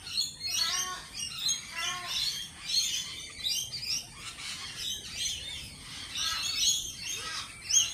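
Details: Lorikeets at a cafe chatter in overlapping high, grating calls, with short screeches repeated through a continuous flock noise.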